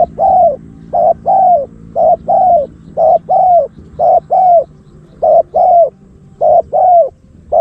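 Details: Decoy spotted dove calling steadily to attract wild doves: about six paired phrases, a clipped double note then a drawn-out coo sliding downward, repeated roughly every second against a faint low hum.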